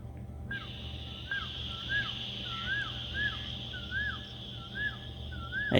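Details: Asian koel calls near dawn by a fox den filmed with a trail camera, signalling morning approaching: about eight clear, arched whistled notes, roughly two each second, over a steady high insect-like whine and a low hum.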